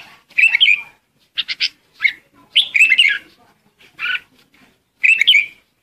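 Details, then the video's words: Red-whiskered bulbul (chào mào) lure song used to call the flock: short bursts of rich, warbled, chattering phrases, roughly one every second, separated by near-silent gaps. "Chào mào hót gọi đàn | Tiếng chào mào mồi hót gọi đàn hay"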